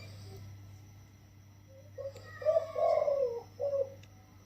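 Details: Wild spotted dove in its sixteenth day in a cage, giving one soft single-kuk throw phrase: a couple of short low notes, a longer wavering coo, then a final clipped coo, over steady low hum.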